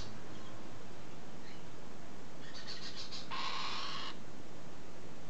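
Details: Galah recorded on 21 July 2015. After a few faint chirps comes a short burst of rapid clicks, then one loud, harsh, rasping screech under a second long, then quiet hum.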